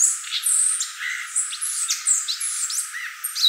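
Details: Violaceous euphonia (gaturamo verdadeiro, guriatã) pouring out high thin whistles and sharp chirps mixed with lower buzzy notes in a quick, varied sequence.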